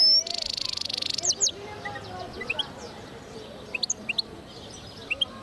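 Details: Hybrid of linnet and goldfinch, 2010: a second-long buzzy pulsed rattle opens, followed by a few soft scattered chirps and thin high tweets over quiet background hiss.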